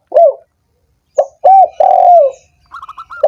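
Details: Spotted dove call meant to rouse doves that have gone quiet: a short low coo, a pause, then a clipped note and a long drawn, gently falling coo, followed by quick higher chattering notes.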